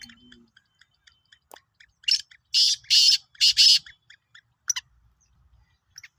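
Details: Sindhi black francolin calling: four harsh, grating broadband bursts in quick succession around the middle, with faint ticking notes scattered before and after.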